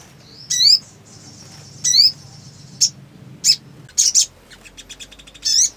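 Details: Black sunbird in birahi condition: sharp descending high chirps with thin sustained whistles between, then a quick series of faint ticking notes and a final chirp.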